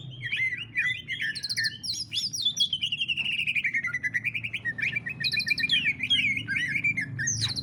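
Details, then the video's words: Caged greater green leafbird delivering a rich ngentrok song meant to trigger singing in other leafbirds: a long continuous stream of warbled, wavering whistles and rapid chattering notes with steady low hum behind. "CUCAK IJO NGENTROK | CARA PANCING BURUNG CUCAK IJO SUPAYA GACOR | SUARA MEWAH"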